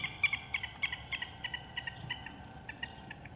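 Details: Female common kingfisher at Aogu Wetland, Chia-yi county, Taiwan, 30 November 2016, gives quick, sharp, high piping whistles, about three a second and unevenly spaced, over a faint steady high-pitched hiss.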